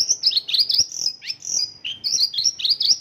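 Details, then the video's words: Isian lokalan song of a Mongolian lark, its repertoire stuffed with local bird phrases: fast, piercing, high notes sliding down and up, about four per second, with a brief buzzy downward sweep near the middle. "Mongolian lark isian lokalan"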